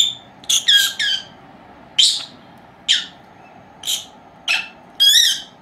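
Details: Young female lovebirds, two of them, four months old, indoors at nap time; scattered sharp chirps and squawky notes, some with a downward sweep, about one per second.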